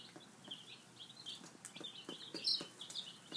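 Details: Breakfast-time chicks, five days old, utter bright, high peeps in uneven runs, over soft pecking clicks.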